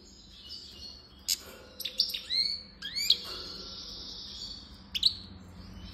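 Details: European goldfinch (Carduelis carduelis) from Constantine singing a high, liquid twitter of quick rising notes, sharp chips and a drawn-out buzzy trill over a faint low hum.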